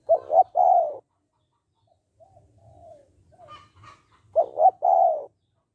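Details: Spotted dove, 'hạp bổi' voice for urging males to call quickly: two three-part phrases of short paired coos and a longer falling coo, with soft whistled notes and a low rumble in between.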